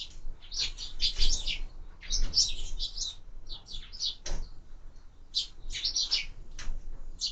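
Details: Sparrows feeding at feeders mounted on a window during an active breakfast: bursts of short, bright chirps in quick clusters, with pauses between groups and faint low rumble beneath.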